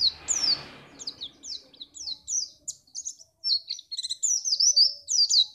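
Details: White-eye song played to make other birds sing for contests: a brisk run of high, down-slurred chirps followed by denser twittering and whistled notes, after a brief soft rustle at the start.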